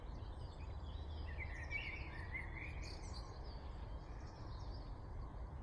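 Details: A male blackbird singing in the morning among silver birches beside a church in Britain gives one brief, mellow, fluted warbling phrase, faint against a steady low rumble of wind or distant traffic, with thin high notes after.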